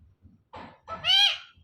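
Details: Indoor hand-tame parrot producing a two-part call: a short rough note, then a louder drawn-out meow-like wail that rises and falls, with faint low room noise around it.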